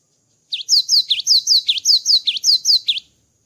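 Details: Java sparrow after its moult singing a rhythmic series of high, bright V-shaped chirps, roughly a dozen in quick even succession, clean and loud against a silent background.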